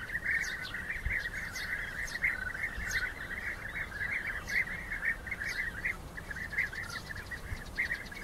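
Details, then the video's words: European bee-eaters in rivalry fights, many birds calling at once: rolling, liquid purrs packed closely together without pause, plus occasional thin higher notes. "Rivalenkämpfe Bienenfresser"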